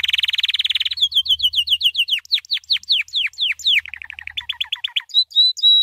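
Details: Training song of a white canary opening with a dense buzzy trill, followed by repeated downward-sweeping notes, a lower fast stutter, and a few high clear whistled notes.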